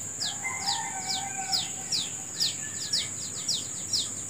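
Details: Birds in the morning: sharp descending chirps repeated about twice a second, with softer lower whistled notes from another bird in between, over a constant high-pitched drone.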